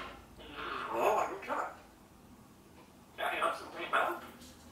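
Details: A pet African grey parrot (Psittacus erithacus) talks in two short bursts of clear, speech-like phrases about two seconds apart during a talking session, with a person's voice nearby in a small room.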